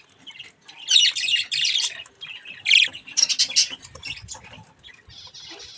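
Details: Budgerigar chicks playing with a mirror: loud, harsh, buzzy squawks and chirps in dense bursts around one and three seconds, followed by softer scratchy chatter.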